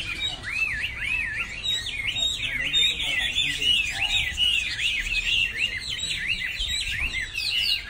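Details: Chinese hwamei in full song, looping whistled notes that swoop up and drop, strung together with fluty trills and high chips, steady and loud across the whole stretch, faint low hum beneath.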